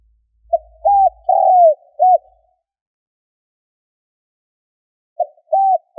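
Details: Spotted dove cooing as a lure for wild birds: one phrase of four soft, low hooted notes, the second drawn out, followed by three seconds of silence before the next phrase begins, repeating the opening notes.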